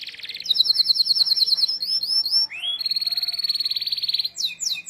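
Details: Canary song meant to teach young canaries: a piercing fast trill of repeated notes, quick sliding whistles, then another long even rattling trill.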